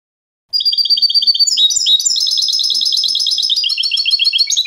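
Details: European goldfinch singing canto limpio, the clean contest style, for teaching young goldfinches: a rapid, bright twittering sequence that shifts into a dense, rolling trill lasting about four seconds.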